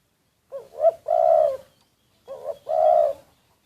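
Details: Decoy spotted dove secretly recorded calling twice, about two seconds apart; each call is a short rising note, a brief coo and a long steady drawn-out coo.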